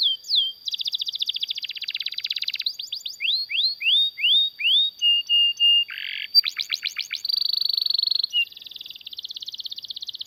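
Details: Canary long song meant to prompt and train other canaries: rapid buzzy trill, a string of rising whistles, flat held notes, then quick downswept trills and a dense buzzing roll.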